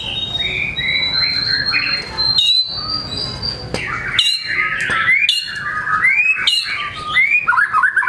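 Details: White-rumped shama in vigorous song displaying its repertoire to prompt other shamas: long thin high whistles followed by a jumble of rising and falling whistled phrases and sharp clicks.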